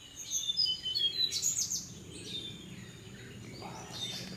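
Black-naped monarch giving a quick run of high, thin, sharp notes for under two seconds, then fainter distant calls over a steady background hiss.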